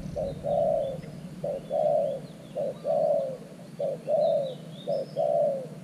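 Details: New decoy spotted dove at an earthen trap for catching wild doves. Rhythmic low coos, each a short note followed by a longer mellow one, repeated evenly with faint bird twitters behind.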